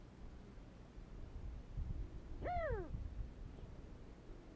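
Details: Sandgrouse (genus Pterocles), a desert bird whose flocks fly to watering holes at dawn and dusk, gives one short, harmonic-rich note that jumps up and slurs quickly downward, over a low, steady rumble of background noise.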